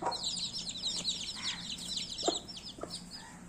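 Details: Crowd of baby chicks peeping nonstop, shrill overlapping chirps packed closely together, broken now and then by a lower, softer note.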